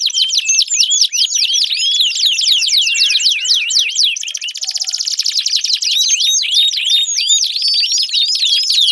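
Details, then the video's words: Long, loud canary song used as a lure for a canary that has stopped singing: fast repeated whistled swoops, then a buzzy rattling trill midway, then more rapid looping notes, all very high and continuous. "Pancingan Ampuh Kenari Gacor Panjang, 4 Suara Burung Kenari Ampuh Untuk Pancingan Kenari Macet Bunyi"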